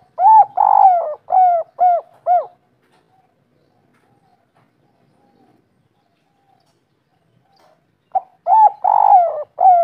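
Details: Kuk 3 spotted dove of local stock with a soft, rich voice. A run of five hollow, down-curving coos is followed by several seconds of silence, then another fast series of coos.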